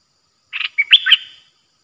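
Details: Song of a Streak-eared bulbul, a caged bird newly used as a decoy, 6 May 2022. One lively phrase of mixed chirps and clear whistles, rising and falling, sung once against silence.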